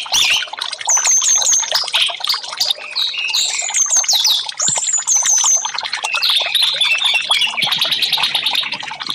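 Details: Orange-headed thrush singing vigorously, a recording meant as therapy for caged birds that stopped singing; clear whistled notes in short repeated groups, sweeping slurs, then a rapid dry rattling series to finish.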